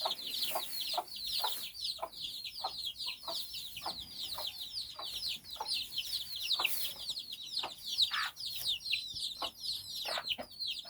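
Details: Nine chicks exploring with their mother hen in Bizkaia, Basque Country; dense, continuous high peeping slurs from the brood, punctuated by brief soft clucks from the hen roughly every half second.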